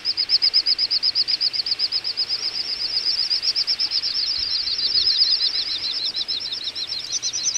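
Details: In Ag-Gol National Park, Azerbaijan, a November 2014 wintering little bustard flock produces dense, overlapping rapid whistled pulses. A second, higher series joins near the end.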